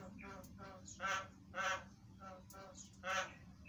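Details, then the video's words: A Javan myna gives a lively filler-song lure call used to draw quick responses from other mynas: nasal, harsh chattering notes in uneven bursts about twice a second, with a few louder squawks, over a low steady hum. "JALAK KEBO GACOR SUARA ISIAN"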